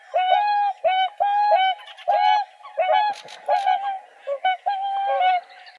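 Swans give loud, nasal, trumpeting honks, about nine in six seconds, each slightly rising and overlapping one another, with a few sharper higher notes among them.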